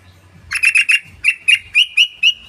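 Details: Yellow-vented bulbul lure sound, used to provoke other birds into calling: a run of harsh, chattering notes repeated about every eighth of a second, rising slightly and becoming clearer toward the end, with a low hum beneath.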